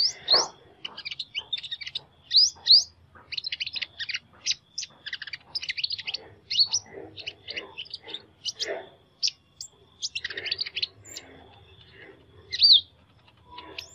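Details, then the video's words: Sunbird with an unusual voice pouring out a long, fast, high jumble of squeaky chirps, short trills and thin whistled flicks, with a few louder sharp notes standing out and brief pauses between phrases. "Chim Hút Mật Hót Giọng Lạ"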